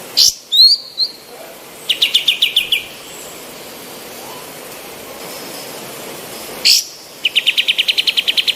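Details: Female olive-winged bulbul singing actively, a master recording for other birds to learn from: sharp sweeping notes open the clip, then a fast trill of repeated chips, a pause, a loud burst and another long rapid chip series.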